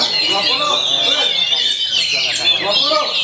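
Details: Caged oriental magpie-robin (kacer) singing in continuous style: dense, rapid, varied whistled phrases and buzzy trills packed between mid and high pitch, with no pauses.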